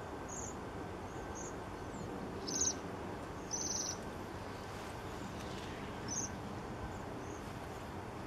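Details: Waxwings in Banbury, Oxfordshire, on 3 January 2017 give thin, high, trilling calls in short bursts every second or so, over a steady background rumble of wind or traffic.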